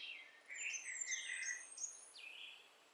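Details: Little sunbird chick being fed orange and mealworms by hand, uttering a string of sharp, descending high chirps and thin squeaks.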